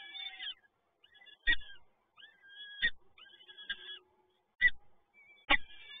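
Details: Peregrine falcon chicks begging as they are fed, Toruń, Poland, 30 April 2022: thin wavering wails interrupted by loud, dull thumps about once a second.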